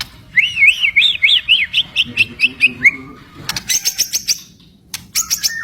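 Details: Fighter white-rumped shama sings wavering, warbled whistles in a quick string, then bursts of sharp high clicks and short notes.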